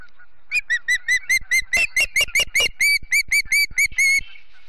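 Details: Ospreys of a family at the Charlo nest in Montana on a September morning, 7 September 2016: a rapid series of about sixteen short, sharp whistled chirps, evenly spaced, ending in a longer drawn-out whistle.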